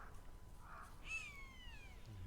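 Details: Forest Buzzard with a white chest, perched on a eucalyptus after rain on 6 January 2023, gives a single drawn-out mewing call slurring gently downward over about a second, over low wind rumble; possibly calling a chick or mate.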